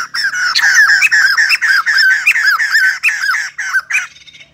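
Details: Ballet-like dancing white-crested laughingthrush in song, pouring out a dense, continuous string of raucous, chuckling notes, nearly three per second, fading out at the end.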